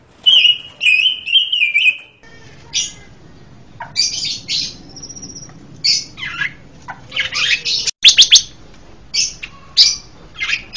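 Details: Richly varied song of a Panca Warna bird, kept as master and lure material: a rapid warbling trill opens, followed by a jumble of sharp chips, slurred whistles and scratchy high notes in quick succession.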